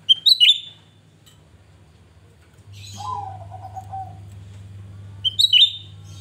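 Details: Grey-bellied bulbul in lively song: a short burst of bright, high, chirpy twittering notes at the start, a lower drawn-out slurred whistle midway, then another bright chirpy burst near the end, over a steady low hum.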